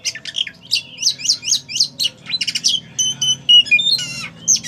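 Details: Black-and-white Oriental magpie-robin in energetic song: quick chirpy notes in repeated rising flicks, then clear level whistles at several pitches and a rattling buzzy note near the end.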